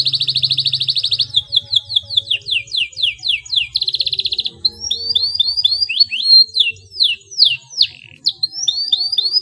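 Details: Canary song aimed at stimulating silent canaries: a fast buzzy trill, a series of descending sweeps, another trill burst, then varied quick chirps and whistled twitters in lively succession; faint low hum.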